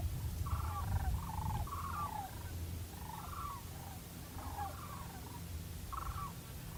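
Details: Sandhill cranes, migratory birds back to spend the winter, calling unseen all around a homestead property: distant rolling, rattled bugling calls in short bursts, repeated irregularly, over a steady low rumble of background noise.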